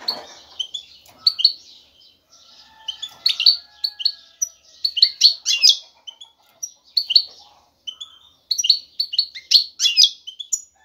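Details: Male European goldfinch courting a female with vigorous song to draw her attention for mating; dense, bubbling twitters and sharp chirps in rapid runs, pausing only briefly.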